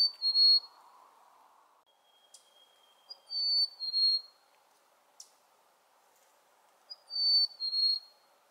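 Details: Black-capped chickadee fee-bee song, also rendered cheeseburger or hey sweetie: two clear whistled notes, the first higher and the second lower, given in three phrases, with a fainter whistled note and a low background hum between them.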